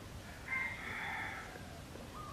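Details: Wild jungle fowl living around a pagoda near Teuk Chob Khnar Po Community Forest, Siem Reap, Cambodia; a single drawn-out, harmonic crowing call of about a second, over a steady hiss of rural background noise.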